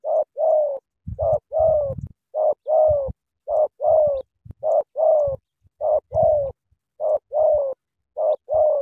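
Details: Spotted dove from Cà Mau cooing eagerly in repeated paired phrases: a short note followed by a longer, slightly falling coo, the pair recurring about every 1.2 seconds, with low thumping knocks beneath some phrases.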